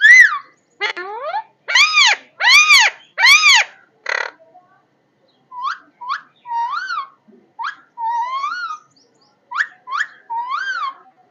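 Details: Parrot vocalizing: loud harsh arched squawks early, then a long string of shorter rising and wavering whistles spaced about a second apart.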